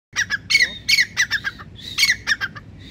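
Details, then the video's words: A grey francolin (teetar) calls with loud, harsh, squawking notes in quick bursts, each ringing and slightly rising, repeated several times a second with brief pauses. "Teetar Ki Awaz | Teetar Voice | Grey Francolin"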